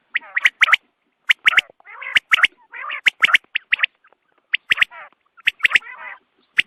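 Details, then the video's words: Dawn quail calls used as a hunting lure: rapid harsh notes in irregular clusters, mixed with sharp clicks and scratchy rasping, roughly one burst a second. "batair ki awaz subha k liye"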